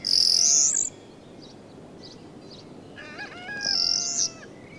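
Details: Common starling singing and displaying in spring sunshine after finishing its nest, a returned migrant; bursts of very high hissy notes at each end, between them soft clicks and several thin, level whistles, fairly quiet overall.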